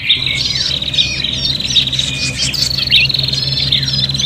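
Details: Fighting prinias, agitated, as a luring sound: dense high trills and squeaky slurred chirps crowding together without pause, plus a continuous low hum.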